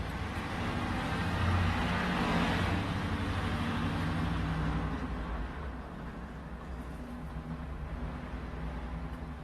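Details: Low rumble of passing vehicles swells and then fades over steady background traffic noise, with no animal voice heard.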